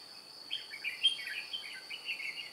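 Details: Red-whiskered bulbul decoy bird luring wild bulbuls into a trap, recorded 2 July 2018, sings a continuous run of bright, slurred, warbling notes against a constant shrill insect hum.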